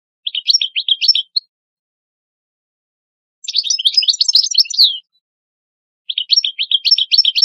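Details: Master European goldfinch, educator of new goldfinches, gives three short bursts of quick twittering chirps separated by silent pauses.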